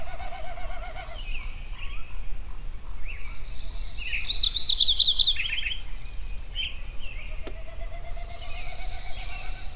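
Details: Sunrise songbird chorus at Yellowstone: a low wavering warble opens, then quick high trilled phrases and a bright buzzy run arrive mid-clip among scattered softer chirps, with one sharp click later.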